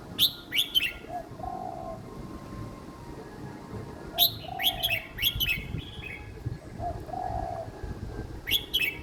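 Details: Young red-whiskered bulbul in a cage singing simple phrases meant for other young birds to copy: lively bursts of sharp, bouncing chirps recurring about every four seconds, backed by a low repeated cooing and a steady background hum.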